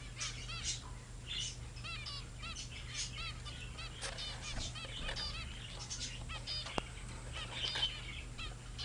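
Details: Several young zebra finches, recently grown babies, trade short, nasal, honking beeps, a few each second and often overlapping, over a steady low hum; recorded around February 2009.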